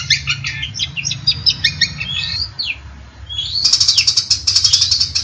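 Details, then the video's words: Long-tailed shrike in lively competition-style song: varied sliding whistles and quick notes, a brief gap, then a fast, high, ringing trill to the end, with a faint low hum. "MASTERAN CENDET GACOR MANTAP"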